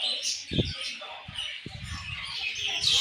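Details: Pet budgerigars warbling and chirping in a continuous chorus, with low knocking and rustling thuds scattered through the brief stretch.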